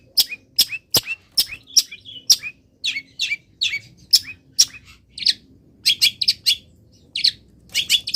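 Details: Caged long-tailed shrike singing in morning sun after being misted, a full varied song; sharp high chirps and buzzy notes repeated in rapid bursts with brief pauses, quiet room hum beneath.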